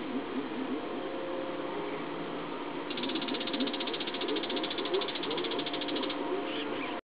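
A Bull-headed Shrike gives a fast, harsh, high chattering series lasting about three seconds, over a steady low murmur of background noise.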